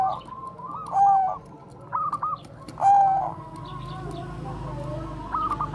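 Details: Zebra dove of the Bangkok type, used as a lure bird for training other doves, giving a few soft trilled coos with clear held notes, spaced irregularly over a low background hum.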